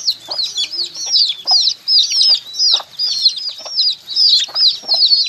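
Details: Baby chickens cheeping loudly and rapidly, high downward-curving peeps overlapping in quick pulses, with faint tapping noises between them.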